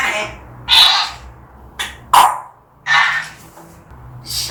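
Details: Pet African grey parrot described as very angry, uttering rough, grating bursts at irregular intervals, some long and hoarse, others short and clipped, in a small room with a faint low hum.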